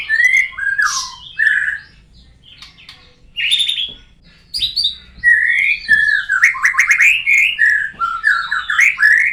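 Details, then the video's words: White-rumped shama learning new sounds after moulting, singing loudly. It gives varied slurred whistles, abrupt squeaky notes and rapid trilled runs, which become an almost continuous stream of changing phrases in the second half. "belajar bunyi baru selesai dari mabung burung Moray batu"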